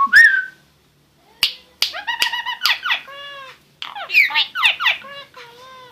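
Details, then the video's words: Starling delivering a brief rising whistle, a pause, then sharp clicks, a rapid stuttering trill, harmonic squeals and scratchy twisting phrases, ending on a soft nasal note. "Starling Bird Singing"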